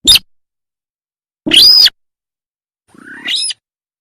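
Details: Buff-banded rail lure recording, used for daytime trapping, with three separate harsh, squealing notes: a short burst, a loud rising screech, then a creaky upslurred squeal, separated by silence.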